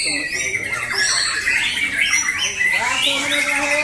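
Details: Fighter white-rumped shamas singing against each other at a contest at JBC Jatisari, Bekasi, on Friday 14 June 2024: dense, overlapping bright whistles and rapid trills, with a murmur of people talking below.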